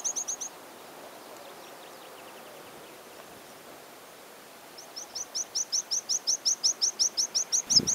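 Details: A Water Pipit in spring breeding plumage gives its spring song: a brief opening burst, then a long run of about sixteen high, sharp, evenly spaced notes, several per second, growing louder over a quiet natural background.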